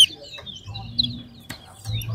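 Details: Towa towa song during a two-bird singing competition at Lamaha bird ground: a thin, rippling high warble continues steadily, with one sharp click and a low background hum.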